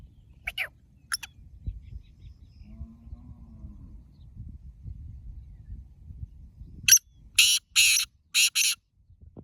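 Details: A black francolin calls loudly from a field in rural Pakistan. Two distant rasping notes come first, then after a quiet pause a close burst of five harsh, buzzy, grating notes in rapid rhythm, with a low hum underneath.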